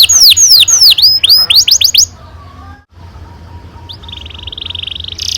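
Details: Canary, whose long rolling song serves to prompt young canaries to sing: rapid descending whistles and quicker rising notes, a pause, then a soft faint buzzy phrase.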